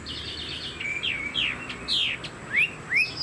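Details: Chinese hwamei in a cage, upright with a spread tail. It produces a few high whistles, then strong downward-slurred notes and sharp upward sweeps, with short gaps between them.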